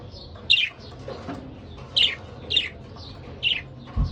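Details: A pair of pet budgerigars giving short, bright chirps around every half second to second, some sharply falling, with quieter warbled notes between and a low background hum.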